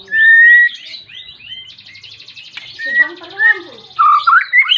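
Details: White-rumped shama (murai batu) in energetic song, calling a rival to spur other shamas into singing: clear sliding whistles repeated in a series, a buzzy trill, then rising and falling whistled flourishes.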